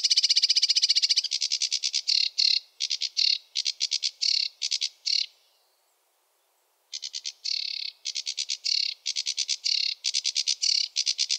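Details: Sedge warbler singing in bursts: a long dry rattle, then chattering clicks and buzzy notes, a pause of about two seconds, then more rushed varied phrases.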